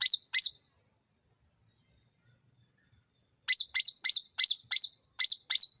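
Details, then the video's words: Two sharp hooked chirps, a pause of about three seconds, then a run of seven evenly spaced high chips from a Sooty-headed bulbul, a lure sound for provoking other birds. "SUARA CUCAK RANTING MEMANCING NGOTOT PALING CEPAT NYAUT"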